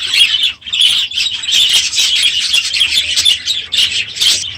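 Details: A crowded budgerigar aviary in the morning after the breeding season, birds loudly twittering together, a nearly unbroken wall of high chirps with one short pause.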